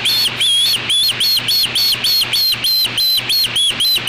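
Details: Juvenile osprey on a nest camera at Yadkin, 8 August 2013 at 3:15 pm, driving an apparent black vulture from its natal nest: shrill whistled chirps repeated about three times a second, each curving up and down, over a steady electrical hum.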